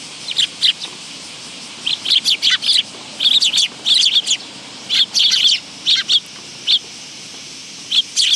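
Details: Willow tits visiting a feeding spot on a bench at a Tenmangu shrine, 10 August 2022: bursts of short, high, thin chirps in quick clusters, scattered irregularly with brief pauses between groups.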